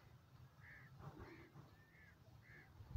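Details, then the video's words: Teetar, also called francolin, giving four short, rounded, repeated notes about half a second apart over a low rumbling background. "teetar awaz,teetar ke boli,francolin ke awaaz"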